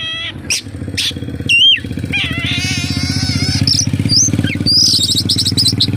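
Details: Oriental magpie-robin singing a song full of imitated kapas tembak phrases: sharp rising whistles, buzzy trills and quick chattering runs over a steady low engine-like hum throughout.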